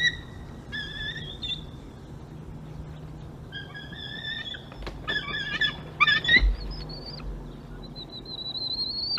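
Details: An adult female bald eagle at a nest in February lands, mantles and gives thin, high whistled screes, with squeaky chittering midway and a rising note near the end, as she pushes her mate off a frozen rabbit, over a low steady hum.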